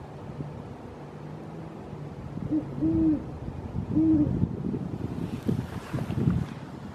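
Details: A Great Horned Owl in a yard gives a few deep, soft hoots, one short and two drawn-out, over a steady low rumble of wind or distant traffic.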